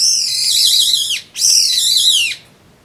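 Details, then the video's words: Brown-eared bulbul calling while drinking juice, recorded 26 April 2012: two long, loud, harsh screeching notes, each about a second and sliding downward at the end, separated by a short gap. "ジュースを飲みながら鳴くヒヨドリ Bulbul chirping and drinking juice"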